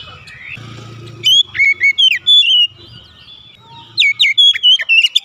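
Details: Oriental magpie-robin song meant to make lazy birds sing: two loud bursts of rapid, ringing whistles and quick slurred notes, separated by a quieter gap with a low hum.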